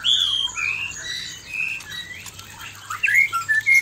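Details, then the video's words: Male white-rumped shama singing toward an aggressive female: clear rich whistled phrases at varied pitches, a quieter middle stretch, then sharp quick notes at the close. "suara murai batu jantan menghadapi betina galak"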